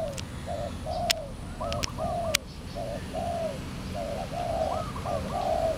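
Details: Spotted dove, a wild bird coming near a decoy during trapping at Valdor, Seberang Perai, 17 November 2013; repeated low cooing phrases with brief higher rising notes, a few sharp clicks, steady background hum.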